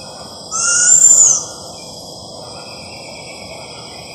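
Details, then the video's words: Juvenile Luzon lowland scops owl perched a few meters away at night in a garden, June 2021, giving a single high, thin rasping screech about one second long; otherwise quiet. "Juvenile Luzon Lowland Scops-owl"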